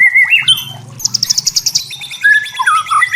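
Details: White-rumped shama from forest, delivering clear whistled notes then a rapid high ticking rattle and more slurred whistles; a faint low hum runs underneath.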